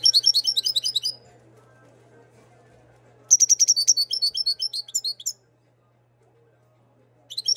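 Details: European goldfinch of Moroccan stock, bred in 2022, delivering long runs of fast, high, tinkling twitters with liquid trills, a silent gap between phrases, over a constant low electrical hum.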